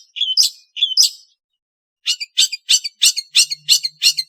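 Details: Long-tailed shrike (Lanius schash) giving two squeaky, grating notes, a pause, then a quick series of seven harsh, rasping notes at a steady beat, roughly three per second.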